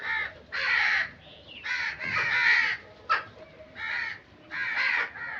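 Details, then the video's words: Long, throaty crow caws, drawn out and rasping, with one short clipped note between them. "Crow Sound Effects"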